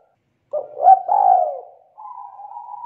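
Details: Loud, rich coo of a young wild-caught spotted dove: a rising-and-falling swooping phrase of three notes followed by a long steady humming coo, clean and close.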